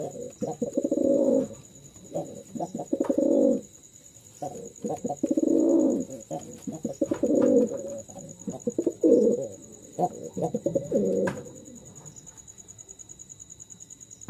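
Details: A pair of Jalali pigeons, including a male called crazy, gives low, throaty coos in rolling bursts roughly every couple of seconds, indoors.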